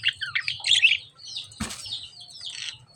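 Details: Lovebird chirps, quick high twitters that fade partway through, cut by a sharp knock or clap, then softer chirping resumes over a faint low hum.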